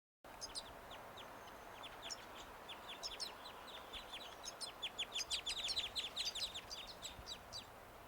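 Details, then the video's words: Crossbills in upland river woodland in Ireland in late winter or early spring, flying high overhead while feeding on cones, give sharp, high 'jip' flight calls, scattered at first then coming fast, about two a second. "And that's the flight call of the crossbill. It sounds like a jip, jip, jip, jip, jip call."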